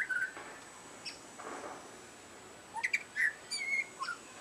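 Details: A butcherbird, chirping for dinner, gives a few clear, fluted whistles in the mid-to-high range, spaced by short pauses and mixed with faint clicks, over a quiet background.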